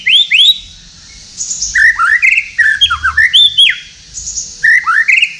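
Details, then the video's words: White-rumped shama bred in captivity in Tasikmalaya, singing at night with odd sounds: bright rising whistles and quick slurred notes, dense fluttering phrases between one and four kilohertz, with brief pauses. "MURAI BATU GACOR MALAM HARI SUARA ANEH"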